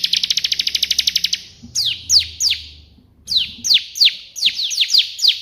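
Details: Bar-winged prinia sings a quick trill of rapid, evenly spaced chirps, then a run of strong downslurred whistles in irregular clusters, with faint low knocking in the background.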